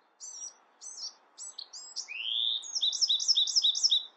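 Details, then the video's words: Bewick's wren song: three short high scratchy note groups, then a rising slurred whistle leading into a rapid repeated trill of paired notes, clear against a quiet background. "Beautiful Bewick's Wren Songs |Calling | Singing!"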